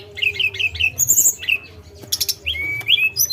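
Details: Sunda robin giving a run of short harsh, rasping notes, then thin high sharp calls and a rising whistled slur, with a low constant hum in the background.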